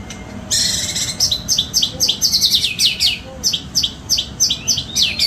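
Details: Caged white-rumped shama (murai) singing a varied song filled with imitations of cililin, cucak jenggot and tembakan: loud high sweeping whistles and rapid clipped chirps in quick bursts, several notes per second, with faint background hum.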